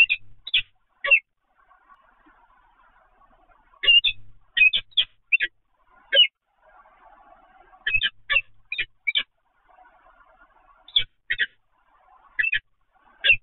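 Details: Peregrine falcon at Evoluon on 7 February 2020, 15:55: loud, rasping paired notes in clustered bursts, separated by pauses filled with a faint low rumbling murmur.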